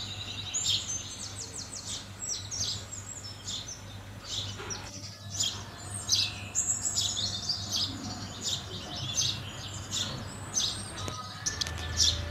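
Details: Several house sparrows chirping busily, overlapping bright chirps and short twittered runs almost without pause, set against constant low-pitched background rumble.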